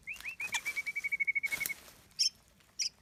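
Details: White-rumped shama song used as a trapping lure: a few rising whistles lead into a long, steady, stuttering whistled note, followed by two short high buzzy bursts.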